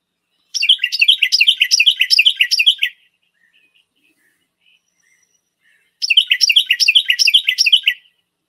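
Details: Carolina wren (Thryothorus ludovicianus) song, a species that sings year-round: two loud, rolling bursts of rapid three-note "tea-kettle" phrases, each about two and a half seconds long, with a pause between.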